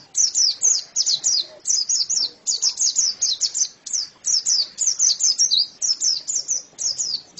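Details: Long spell of white-eye song: rapid clusters of piercing, high twittering notes that dip in pitch, run together in busy phrases with brief gaps between groups.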